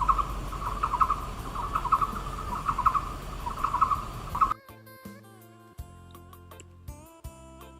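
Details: Indochinese barbet (Psilopogon annamensis), common in montane forest at Di Linh Pass on Vietnam's Da Lat Plateau, gives hollow, low-pitched paired notes, repeated about once a second for several seconds before music takes over.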